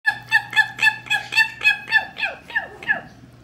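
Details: Pet male Mexican red-headed (red-crowned) amazon, apparently self-taught trick: repeats a rich nasal beep about four times a second, a dozen notes sliding downward at the end, over low hum. Red-crowned amazon mimicry.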